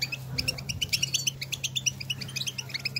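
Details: Goldfinches out in nature calling among themselves; a fast, steady run of high, paired chirps repeated several times a second over a low constant hum.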